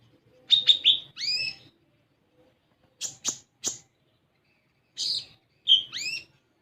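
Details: Olive-backed sunbird lure song for untrained birds: a quick burst of sharp chirps and rising swept notes, then a pause, a few clicky ticks, and another bright upswept phrase.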